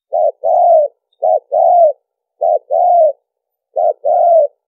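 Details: Lure cooing of a spotted dove used in trapping: four two-part phrases, each a brief coo then a drawn-out, arched note, spaced somewhat irregularly over a few seconds. Silent background.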